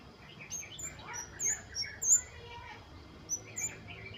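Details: Flowerpecker singing busily in the wild, its 'wucit wucit' used as a prompt for kemade to sing: sharp, high, tinny notes in quick irregular bursts, with softer chirps and steady background hiss beneath.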